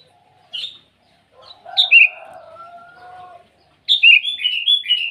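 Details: Sooty-headed bulbul calling rivals in the morning: a short whistle, then a pair of slurred notes over a steady low tone, ending in a rapid string of bright up-and-down whistled notes.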